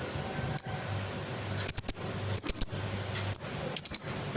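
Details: Lovebird with sharp, high chirps: a single note, then clustered bursts of three to four quick chips near the two-second mark, repeated twice more with pauses between groups.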